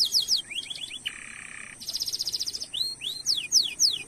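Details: Canary song used as a training lure to get other canaries singing: fast downward-sweeping whistles, then a flat buzzy roll, then a rapid high trill and more bright slurred notes.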